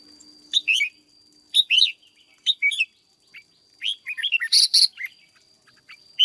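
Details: Red-whiskered bulbul kept in a cage and trained as a decoy: quick bursts of bright, chattering warbled notes, each phrase under a second, coming every second or so, with a faint continuous high whine behind.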